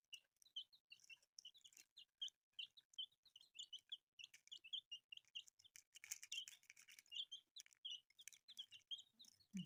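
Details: Freshly hatched chicks, brightly coloured, cheeping nonstop: many thin, high, falling peeps in a busy overlapping stream, with crisp clicking and scratching noises growing louder midway.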